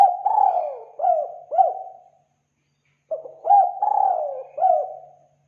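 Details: Spotted dove lure call for attracting birds, two repeated phrases of mellow coos separated by a pause of about a second, each a short note, a long falling coo and a clipped ending note.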